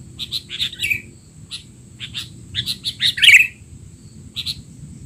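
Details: Sooty-headed bulbul tutor recording for young bulbuls: scattered quick chirps building to a loud, rough burst near the middle, then a few more isolated chirps, over a constant faint high tone.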